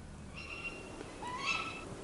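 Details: A tawny owl in UK woodland on a January winter night gives its characteristic quick, sharp contact call: a thin high note, then a louder note that sweeps upward, over quiet surroundings.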